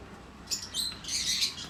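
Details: Cockatiel giving a brief run of shrill, scratchy high chirps, the first sharp and the rest blurred together into a noisy squawking burst.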